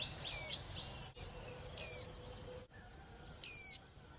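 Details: Calls of a young female white-eye used to excite male songbirds before singing matches: three bright, falling whistled notes spaced about one and a half seconds apart, with a steady faint high hum behind them.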